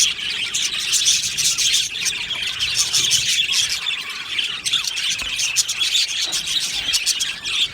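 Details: Australian budgie colony kept in an aviary, continuous high chattering with scratchy squawks and short squeals mixed into the rapid, overlapping chirps.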